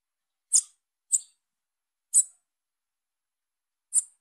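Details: Calls of a young female Bananaquit: four sharp, high-pitched chips spaced irregularly, three close together early and one after a long pause, with no other sounds.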